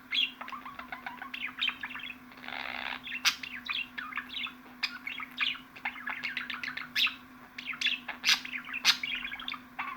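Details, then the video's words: Budgerigar keeps up a dense twittering chatter of quick chirps and scratchy notes, with one brief raspy noisy burst early on; a low electrical hum sits behind. "MUHABBET KUŞU SESİ"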